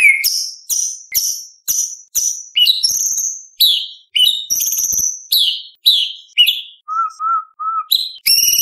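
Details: White-rumped shama singing full competition material with 'shot' notes and rolls: high, sharp whistled notes in quick separate bursts, then three lower soft notes, ending in a bright rising phrase.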